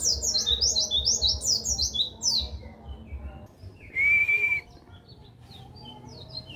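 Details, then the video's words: White-eye (pleci) tutor song for songbirds: an energetic burst of high zigzag chirps for two seconds, then sparse faint notes, a single steady whistled tone, and scattered quiet chips to the end. "Masteran Pleci"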